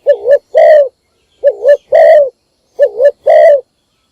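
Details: Spotted dove kept as a lure for wild doves, calling in the morning: three evenly spaced phrases, each a short wavering coo then a longer round coo, at a steady pace.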